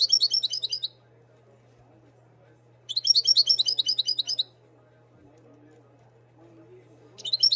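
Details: Moroccan goldfinch bred in 2022 delivering repeated bursts of fast, high, jingling twitter, each lasting one to one and a half seconds and separated by pauses of about two seconds, with a faint background hum.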